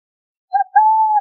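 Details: Burrowing owl (Athene cunicularia) singing one phrase: a soft brief hoot, a tiny pause, then a prolonged level coo.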